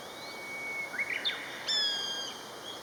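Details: Common buzzard, one of a calling pair, gives thin high whistles: a drawn-out tone sliding gently down, then a brief louder harmonic-rich whistle that fades into a long steady note, over a faint hiss.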